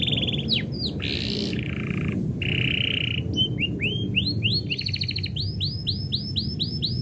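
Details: Canary singing when its owner is about to go: buzzy trills and a steady whistle, then series of rising arched whistles repeated quickly, over noticeable low rumbling noise.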